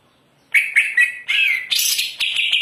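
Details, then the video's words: Greater green leafbird, a caged bird in full song pouring out varied material: dense, high chattering and whistled phrases in a continuous run, ending in buzzy bursts. "cucak ijo gacor muntah materi"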